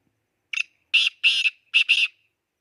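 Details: Black francolin calling while excited: a short harsh opening note, then two pairs of loud, grating, buzzy syllables over about a second and a half, with a silent background between the notes.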